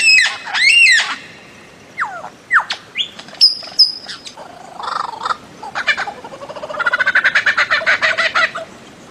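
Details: Bird-of-paradise with a loud arched squawk and sharp whistled notes, then a rapid stuttering chatter of quick repeated notes near the end.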